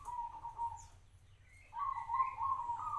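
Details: Zebra dove, a local bird kept for five years, giving a soft steady coo, a pause, then a louder run of warbling coos with faint higher overtones, against a low humming background.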